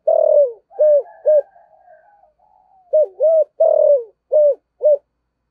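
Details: Decoy spotted dove in the 'giọng thổ' singing style, giving deep mellow coos: a long coo and two short ones, a quiet pause with soft murmuring, then another phrase of five or six coos.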